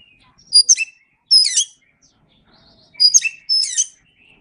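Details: Training recording of white-rumped shama song: four short bursts of varied high whistles and chattery notes, grouped in two pairs separated by a pause of about a second.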